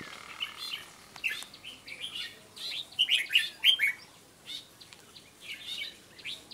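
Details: Red-whiskered bulbul delivering a softer run of chirping, warbled notes that peaks midway, against faint background hiss.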